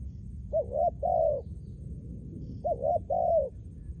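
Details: Spotted dove used as a trained decoy bird, delivering two matching phrases about two seconds apart, each a quick two-note hoot followed by a longer, level, mellow coo.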